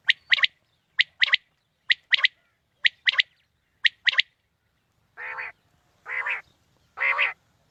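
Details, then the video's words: Quail lure calls for a morning hunt: six crisp groups of one short note and a quick double, whit wit-wit, about once a second, then three longer nasal, rasping notes. "Quail Calling 2020 | Batair Ki Awaz suba ki shikar Ki liye|Saaf Batair Ki Awaz"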